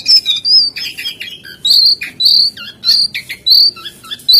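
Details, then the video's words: Jongkangan giving a sequence of loud, clear whistled phrases about half a second apart, mixed with harsher squawky chirps and short downward-slurred notes. "SUARA BURUNG JONGKANGAN GACOR GOYANG TELER SAKTI!!"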